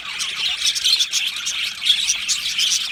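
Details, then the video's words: Short burst of cheerful chirping from an Australian budgie colony in an aviary, with high whistled twitters and fast warbling notes layered over one another. "Australian Budgie singing and chirping sounds"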